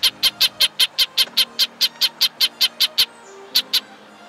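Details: Red-breasted Nuthatch alarm call, given when a threat is nearby: a rapid, even run of about fifteen short, nasal, tinny notes at roughly five per second, a brief pause, then two more.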